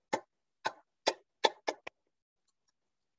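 Six sharp, dry taps over about two seconds, quickening slightly toward the end, then silence; no animal voice is heard.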